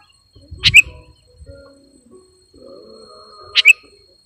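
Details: Sooty-headed bulbul call meant for luring wild birds: two brief, sharp, high chirp bursts about three seconds apart, each a fast double note, with soft low background noise between them.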